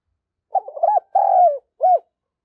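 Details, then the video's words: Spotted dove decoy singing strongly in gáy thúc fashion: a stuttering soft opening, an arched hoot, a long purring coo that drops in pitch, then one last arched note, in under two seconds. "Tiếng Chim Cu Gáy Thúc Và Gù Cực Sung"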